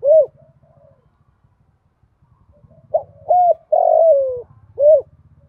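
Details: Female spotted dove used as a decoy, calling to lure wild males, in the 'thổ pha' voice style with one trailing note. A single coo opens, then a phrase of two short hoots, a long falling coo and a final hoot, over a low pulsing hum.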